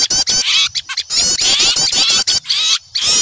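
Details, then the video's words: Frightened small birds scolding an owl in a lure recording; excited high twittering in quick overlapping bursts, broken by brief gaps, with sharp clicking sounds mixed in. "Suara pikat burung kecil ribut takut melihat burung hantu"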